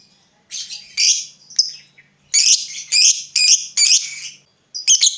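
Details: Lovebird lure meant to prompt other lovebirds to answer. Loud, shrill, squeaky screeches in separate bursts, several coming in quick succession around the middle, with short pauses between them.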